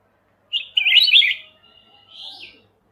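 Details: A Kutilang emas mata putih bulbul master recording for tutoring songbirds: a rapid rolling warble, then a thin drawn-out whistle ending in a softer upward-curving note.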